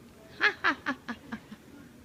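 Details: A pet Monk (Quaker) parakeet trying to talk gives six harsh, nasal notes in quick succession, about five a second, fading steadily like a chuckling laugh. Nothing else is heard.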